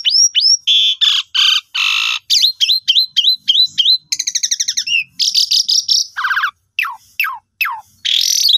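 Asian pied starling song: a fast, varied run of loud whistles, rising slurred notes, harsh buzzy bursts and rapid chattering trills, clear with no other sounds.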